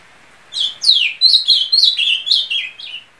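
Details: A full song phrase from an ultramarine grosbeak: about eight clear, sweet whistled notes, the first sweeping steeply downward, the rest short and slurred, delivered in roughly two seconds in silence.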